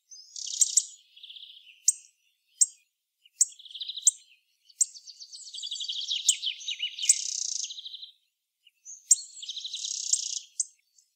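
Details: Hawfinch, Coccothraustes coccothraustes: sharp ticks interspersed with scratchy, buzzing bursts and a long stuttering, rattling sequence of thin high notes, followed by more ticks and another buzzy burst.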